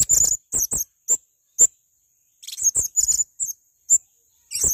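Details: Busy, rapid sequence of thin, shrill, high-pitched chips and squeaks from a male blue-crowned hanging parrot, notes in quick irregular bursts with brief pauses.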